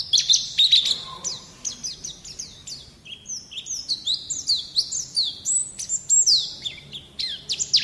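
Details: Training recording of white-eye song for young birds: a steady flow of high, clear chirps and slurred whistles, with pitch jumping between notes.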